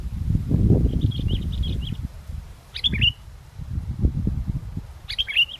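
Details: Sooty-headed bulbul (kutilang) singing in strong wind during a bird-luring session; a soft chattering run of notes, then two sharp, chirpy downward whistled phrases, half buried under heavy gusting wind roar.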